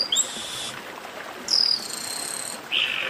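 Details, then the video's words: Chestnut-capped blackbirds giving long sustained buzzy high notes, one after another with short gaps, in a 'baderna' group chorus. "Baderna de Garibaldi"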